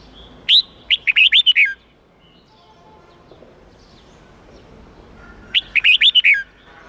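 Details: Red-whiskered bulbul singing the 8-9-10 note training song meant for young birds to learn the pure wild song. Two bursts of six or seven bright, rapid whistled notes are separated by about four seconds of near silence.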